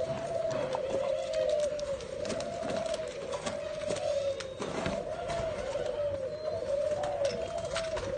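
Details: Captive spotted dove, one of a pair, Nam Dinh, Vietnam, 18 April 2022, giving soft, low, wavering coos that run together, rising and falling roughly every second, over faint clicks and hiss.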